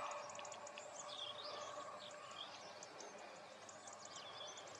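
European greenfinch twittering in quick, uneven runs of high chirps and trills, with a steady hum of background noise beneath.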